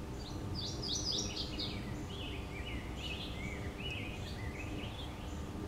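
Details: Male mourning warbler singing on 25 May 2015 at Orchard Hill Greenstrip, a migrant trap in Omaha, Douglas County, Nebraska: a rolling series of slurred, chanting notes dropping lower toward the end, over a steady low background rumble.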